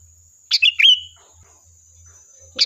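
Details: A single sooty-headed bulbul phrase, a lure to prompt a reply, of bright clipped notes ending in a drawn-out whistle, followed by silence and the start of another note at the end.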